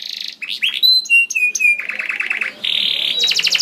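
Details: Gacor canary used to coax other canaries into song. A buzzy trill and short whistled notes lead into a rattling series of repeated notes, then a long high buzzing trill.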